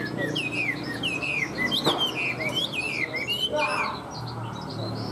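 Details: Chinese hwamei, a tame cage bird, singing strongly: clear, rich whistled phrases sliding up and down, with quick looping notes and a few sharp accents, over faint background hum.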